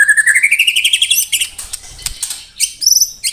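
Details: White-rumped shama (murai batu) song in the rapid 'tembakan rapat' style: a fast run of about twenty short whistled notes rising steadily in pitch, then bright high chattering phrases with pauses between.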